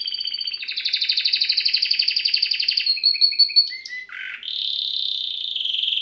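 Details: Canary singing a fast pulsed rolling trill, then a row of short repeated chirps, a low dipping note, and a steady high buzzy trill to close.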